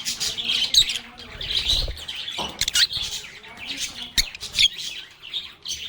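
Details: Several lovebirds talking and playing, with quick high chirps and squeaks, occasional sharp clicks or taps, and a brief low thud near the two-second mark.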